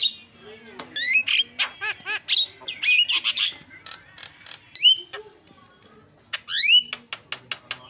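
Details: Starling song played as a lure so other starlings start singing: varied phrases of upward-slurred whistles, harsh rasping notes and quick clicks, broken by short gaps, ending with a burst of rising whistles and sharp notes.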